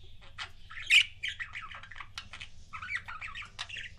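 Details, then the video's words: Pet budgerigar couples chattering in a steady stream of scratchy, squawky warbling notes, with one louder sharp chirp near the start. "CUTE BUDGIE COUPLES"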